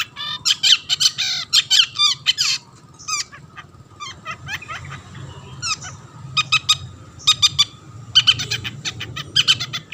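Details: Long-tailed shrike in full, lively song meant to provoke other shrikes into singing: dense bursts of twittering, trilled and chattering notes in quick clusters with brief pauses, over a faint low hum.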